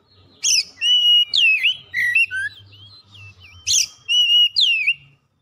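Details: Oriental magpie-robin song played to push a quiet bird into song: rapid sequence of rich whistles, looping slurs and rasping notes, repeated in a second burst, over a faint low hum.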